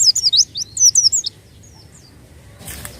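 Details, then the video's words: White-eye song used as a lure: a quick cluster of high slurred chirps and thin whistles for about a second, then a few faint notes and a brief rustling noise. "pancingan bunyi burung pleci bahan"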